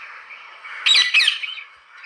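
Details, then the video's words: Parrot making two loud, harsh squawks close together in the middle, over a constant background hiss. "Parrot's sound"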